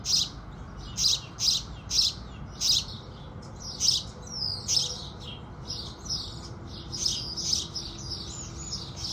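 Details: At sunrise, house sparrows give a run of crisp separate chirps that gives way to denser, overlapping twittering from more than one bird in the second half.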